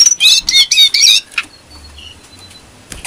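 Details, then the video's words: Brown-throated sunbird in lively, breeding-condition song, used as a lure to train songbirds: a quick burst of shrill, high twittering and slurred notes for just over a second, then near silence with a few faint high tones. "Pancingan burung kecil nembak,Jongkangan gacor -isian pedas birahi stabil"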